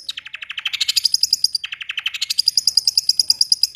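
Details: Long-tailed shrike in roll tembak song, delivering quick rattling runs of sharp, high notes that climb in pitch, restart low and climb again, densely packed and repeated without pause.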